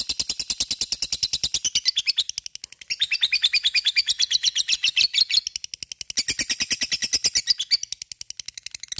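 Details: Sustained gacor ngekek of a lovebird, a fighter chatter used to make other lovebirds join in: relentless fast high chirps in three long waves with slight swells between, heard indoors.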